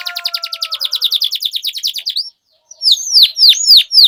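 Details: Canary song to prompt silent canaries to sing again: a long fast trill of repeated high notes, a brief pause, then loud sweeping downslurred whistles.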